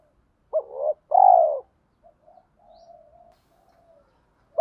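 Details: Spotted dove with thổ pha đồng voice cooing to lure wild doves: one full phrase of a brief double note and a long, rich, falling coo, followed by soft low murmurs, and the next phrase beginning.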